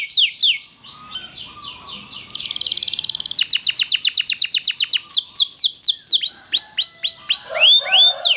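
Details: A canary sings a long tutoring song, starting with scattered swooping whistles, then a dense buzzy roll followed by steady repeated downward-sweeping notes, about four per second, with high chirps layered above.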